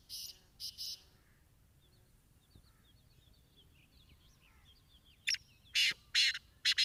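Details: Large male Black Francolin calls while sitting, angered by other francolin calls, with kites overhead. It gives loud, harsh, rasping bursts in quick succession at the start and end, with thin twittering of small birds between.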